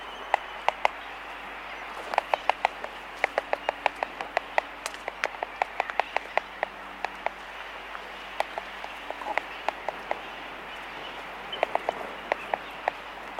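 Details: Laysan albatrosses in a colony recorded close up, giving sharp dry clicks in rapid irregular bursts throughout, with many overlapping snaps against a steady hiss of background colony noise.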